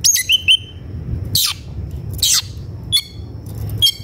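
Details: Worked-up White-rumped shama seeking a rival to fight. Clear whistled notes alternate with harsh, noisy rasping bursts, spaced about a second apart, over faint low background noise.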